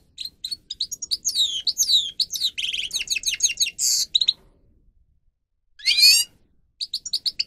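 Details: Grey-crowned goldfinch singing for the training of captive birds, a tumbling string of sharp chirps, swooping slurs and buzzy rattles, then a short harsh burst and a few clipped notes.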